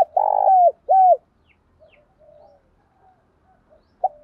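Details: Spotted dove cooing to draw in and challenge a rival dove: a rough buzzy coo and a bowed coo in quick succession, followed by quiet soft murmurs and one brief closing note.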